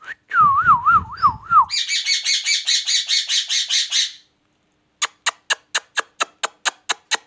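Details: Pakistani rose-ringed parakeet: a wavering whistle trilling up and down, then a long run of buzzy repeated notes about four per second, a pause, and sharp dry clicks repeated steadily about every quarter second.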